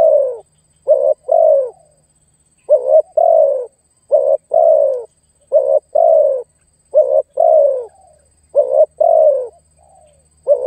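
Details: Spotted dove calling to lure and press a rival: repeated low, mellow three-part coo phrases, a short note then two longer falling ones, roughly every one and a half seconds, in a quiet setting.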